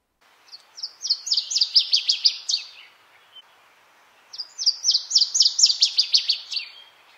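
Northern Waterthrush sings two loud, choppy phrases of emphatic chip notes that quicken and drop at the end, about four seconds apart.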